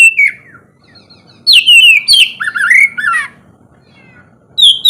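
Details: Oriental magpie-robin's morning ngeplong song, used to prompt lazy birds: a single falling whistle, a quiet gap, then a burst of slurred whistles and harsher notes, ending with a rising whistle.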